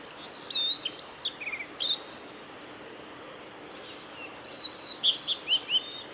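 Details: A male blue-and-white flycatcher sings by Lake Miyagase's Kanazawa forest road, 17 May 2020. It gives two phrases of high, sliding whistles with a few buzzy notes, separated by about two seconds of quiet background hiss.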